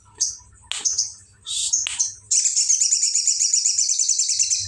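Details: Sooty-headed bulbul with song full of bar-winged prinia (ciblek) imitation: several sharp, separate high chirps, then a sustained rapid, buzzy, very high trill lasting over two seconds. A low hum sits faintly beneath.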